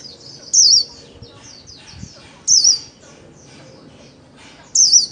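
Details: Caged white-eye in the 'líu' singing style: three short, bright high twittered bursts spaced about two seconds apart, with softer chirps between them and a faint low thud.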